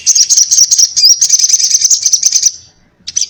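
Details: Little spiderhunter (sogon) in fierce 'ngobra' fighting-style chatter: a dense, shrill, rapid stream of high notes for about two and a half seconds, a short pause, then the chatter resumes briefly.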